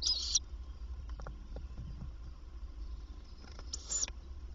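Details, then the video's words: Tawny owl nest box in daytime during the female's feeding visits to the young; a rasping hiss opens the recording, faint clicks follow, and a second hoarse hiss comes near the end. "Bosuil vrouw komt voeren"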